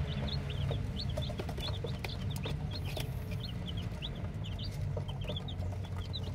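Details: Newly hatched chicken chicks peeping: many high, short cheeps in quick irregular succession, several birds overlapping, over a loud low rumbling hum.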